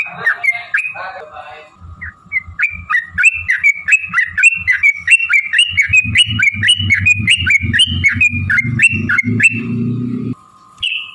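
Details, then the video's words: Yellow-vented bulbul giving a long fighting song meant to provoke other birds into singing: a few harsh notes, then a rapid string of springy whistled notes about four per second, with a low droning noise building underneath. "trucukan gacor TARUNG ROPEL PANJANG pancingan trucukan agar bunyi"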